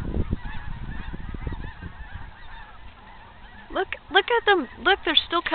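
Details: Geese in a huge flock passing overhead at Riverfront Park near Bonner Springs, Kansas, 28 February 2010; after quiet distant murmuring and low rumble, loud nasal honks burst out in quick, irregular runs of overlapping calls.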